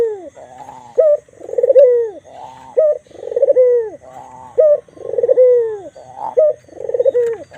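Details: Repeated coos of a white Barbary dove with a black ring on the neck: brief bright note, then a lengthy throbbing coo dropping in pitch, about four cycles at a steady two-second rhythm.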